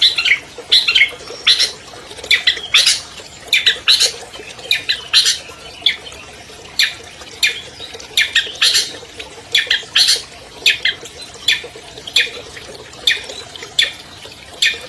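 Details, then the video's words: Albino long-tailed shrike, a captive champion bird used as a singing model for silent shrikes, producing sharp, clicking and ticking notes with brief scratchy chatters in an irregular, fast sequence. "MASTER SUARA CENDET ALBINO JUARA 2020 #AMPUH MEMANCING CENDET MACET BUNYI"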